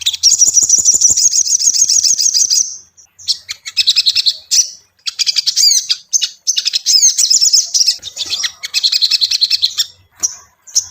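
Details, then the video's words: Ashy tailorbird singing to provoke a caged bird: repeated bursts of very high, rapid chattering trills and sharp chips, broken by short gaps, lively and uneven throughout. "SOGON PANCINGAN mp3 Cocok untuk melatih mental sogon lekas bunyi"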